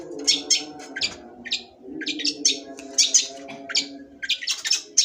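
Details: Long-tailed shrike song, called cendet sembur, made of quick high chirps and harsh twittering bursts, some notes paired, with pauses between groups and a constant low droning background.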